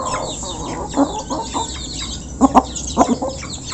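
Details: Local chickens, a flock being fed and eating, recorded up close: short clucks and soft bursts of pecking, with a louder double cluck near the middle and quick clucks toward the end over a steady background hiss.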